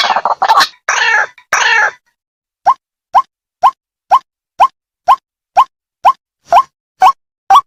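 White-breasted Waterhen: a burst of harsh, croaking chatter, then a steady run of about eleven short hollow 'kook' notes, two every second.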